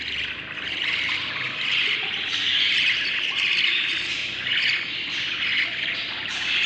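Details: Seven budgerigar chicks inside the nest, day 38 of breeding, give a continuous, raspy chorus of high chirps and squawks, overlapping and uneven, with louder bursts every second or so.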